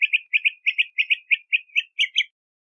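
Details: Bahama mockingbird singing a rapid series of paired chirpy notes around mid-high pitch, about ten doubled phrases in under three seconds, ending in a slightly higher, more complex phrase; clean background.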